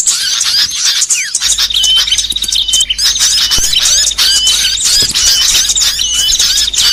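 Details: Mixed small songbirds for training songbirds: shrill rapid twitters and chirps, then a thin steady whistle held for about two seconds beneath the chatter, with another long whistle later on.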